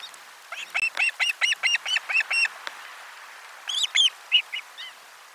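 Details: Osprey at nest 4 on 12 July 2022 during a lunch fish delivery, nest camera: an even series of about ten clipped, ringing chirps, a pause, then a shorter burst of louder whistled notes over faint hiss.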